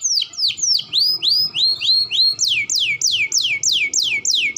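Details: Canary gacor song intended to stimulate young and adult canaries: mixed rising and falling whistled slurs give way to evenly spaced steep downward sweeps, about three per second, with slight low room noise.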